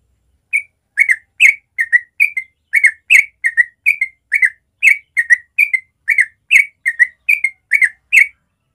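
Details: Rapid 'ropel' song of a yellow-vented bulbul, recorded naturally in the morning: steady stream of liquid, chattering whistled notes, roughly two per second, clean and without other noise.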